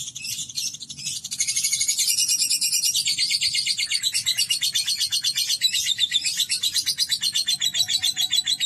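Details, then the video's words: Lovebird in long ngekek chatter: a dense, rapid high trill of buzzy repeated notes, about four per second, running continuously with shifting pitch bands and little else behind it. "Terapi Burung Lovebird Agar Ngekek Panjang"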